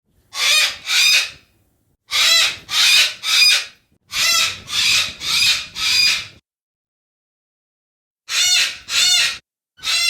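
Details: Yellow-crested cockatoo (Cacatua sulphurea), call.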